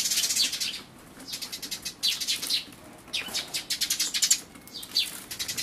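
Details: Eurasian tree sparrow parent feeding chicks at a feeder, 28 May 2013: bursts of rapid, high, buzzy chirping in clusters separated by brief pauses, with wing flapping.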